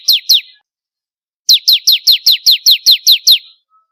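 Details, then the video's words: Ciblek kristal (bar-winged prinia), one of four master-song variations for training songbirds: two clipped chirps, a second of quiet, then a steady run of eleven sharp, downslurred notes over a thin high hum. "Masteran suara burung ciblek kristal 4 variasi"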